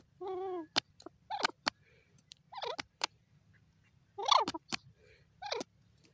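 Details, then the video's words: A francolin, called the Irani teetar, gives a string of harsh, nasal, harmonic notes, some rising and some falling, with sharp clicks in between over a low steady hum. "irani teeter awaz"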